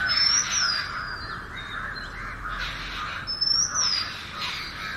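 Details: Sweet whistled melody of an Oriental magpie-robin singing naturally, two rising-then-falling whistled phrases about three seconds apart, with a dense, hissing layer of harsher bird calls beneath.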